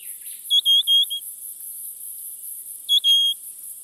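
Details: A Spotted pardalote, one of a nesting pair raising a summer brood in the Capertee Valley, gives soft, high, piping whistles: a three-note phrase, then a two-note one, over a steady high hiss.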